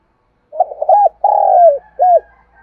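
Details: Spotted dove coo used to stimulate wild doves to respond: a rapid cluster of short soft hoots, then a long rich coo sliding slightly downward, followed by a brief final note, low and mellow throughout.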